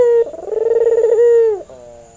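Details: White albino male Barbary dove with red eyes, in breeding mood, cooing as a training lure: a loud clear note swells into a fast-pulsing, rolling purr that holds steady and then dips down at the close. A thin high whine persists.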